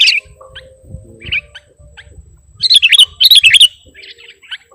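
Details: Sooty-headed bulbul, a lively calling bird on a lure recording for bird catchers: a few scattered short chirps, then a burst of bright, bubbly notes around the middle, with a faint low hum beneath.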